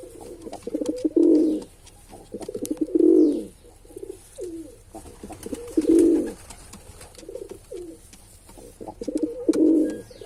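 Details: Repeated cooing by a male pigeon: four low, throaty coo phrases roughly every two to three seconds, each opening with quick stuttering pulses before a swelling rolling note, with soft clicks in between.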